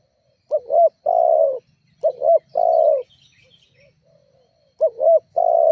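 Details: Lure call of a spotted dove, meant to provoke rival birds: a quick double coo leading into a long, smooth falling note, given three times, with a soft quiet murmur in a pause between phrases.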